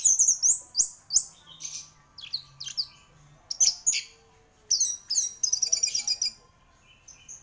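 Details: A champion gacor orange-headed thrush sings rapid high whistled notes in quick succession, mixing slurred phrases with a fast stuttering trill series before trailing off into softer notes.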